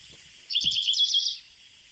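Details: An African pied wagtail sings with water audible in the background, giving a brief burst of high, twittering notes lasting under a second, with a low thump and faint background hiss.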